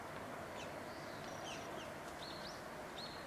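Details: Migratory flock of brown-eared bulbuls in January, arrived from Siberia to strip the berries of a garden holly tree, gives high squeaky, wavering whistled calls, several slurred up and down, over a steady background hiss.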